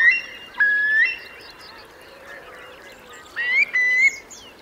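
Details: Eurasian curlews, part of about 3,000 roosting in the wet meadows of Marquenterre, Bay of Somme, France, at high tide on 7 October 2021; clear rising whistled calls at the start and near the end, fainter flock calls between.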